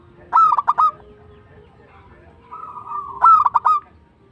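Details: Singing local zebra dove: a punchy series of four staccato coos, a pause, then a soft wavering trill that leads straight into another loud run of quick coo notes.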